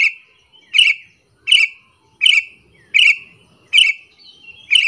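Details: Repeated provoking call of a sooty-headed bulbul used to lure other bulbuls: seven quick chirps at under a second's spacing, each a sharp burst slurring down into a short whistle.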